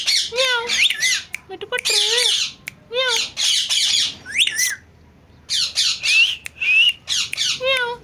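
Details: Talking pet parrot in a small room alternating rough screechy bursts with repeated wavering, meow-like tonal calls and short rising whistles.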